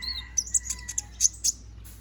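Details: Young konin (kolibri ninja) bird, bald and growing its feathers, singing actively: short, very high, sharp chirps and twittering notes in quick bursts, with a faint steady tone underneath.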